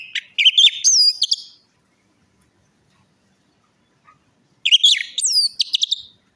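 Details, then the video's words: Orange-headed thrush song played as a lure for a silent or stressed bird: two bursts of high, rich whistled phrases with sharp chips and upslurred notes, separated by about three seconds of silence. "pancingan Anis merah macet bunyi,males bunyi atau stres"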